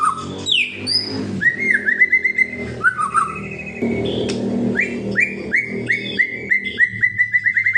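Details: White-rumped shama kretekan song, sung to provoke rivals: short upward-flicked whistles repeated in quick rows, with rising slurs over a steady low hum in the background.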